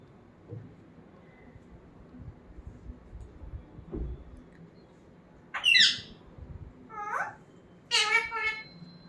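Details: Pet talking parrot kept indoors: a few harsh, noisy squawks and rasping calls near the end, with quiet room background and soft thumps earlier.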